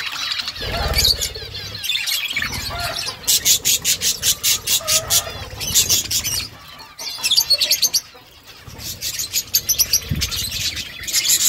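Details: Budgerigars, a mother feeding chicks, give rapid pulsed chirps. Fast runs of short repeated notes come around three to five seconds and again near seven to eight seconds, between softer chatter and a few faint low thumps.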